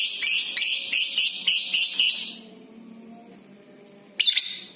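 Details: Lovebird used to prompt other lovebirds into long 'ngekek' singing: a quick string of high, scratchy pulsed notes lasting about two seconds, a quiet gap, then one more piercing burst.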